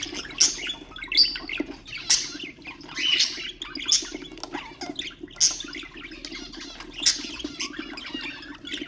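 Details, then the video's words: Ornamental budgerigars chattering to stimulate other birds: sharp high chirps roughly every second amid soft continuous twittering, with a steady low hum throughout. "اقوى أصوات طيور البادجي طيور الزينة أصوات تحفيز الطيور"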